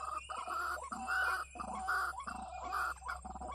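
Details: Lure call of a white-breasted waterhen, locally ruak-ruak, played for trapping: rough, braying croaks in repeated half-second bursts, alternating loud and softer, over a constant low hum.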